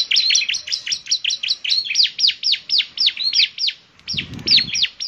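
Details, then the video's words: Bar-winged prinia singing actively: rapid high chirps with downward-curving slurs, about four per second, broken by a short gap and a soft low thump before the notes resume. "ciblek semi gacor, suaranya yang KHAS bikin ciblek semi IKUT bunyi"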